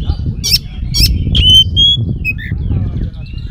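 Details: Oriental magpie-robin lure song laden with imitations, aimed at making other magpie-robins reply: two loud rasping bursts, then clear sustained whistles and a slurred note, over a low droning background.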